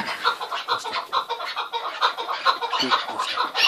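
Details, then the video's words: Short stretch of chukar partridge clucking, gruff repeated notes about two a second, fairly even and continuous. "Keklik Sesi Muhteşem (Keklik Hengamesi) - الحجل طائر - куропатка - partridge"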